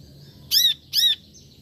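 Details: Brown-throated sunbird uttering two quick, bright, ringing chirps in close succession, with a faint thin whistle behind.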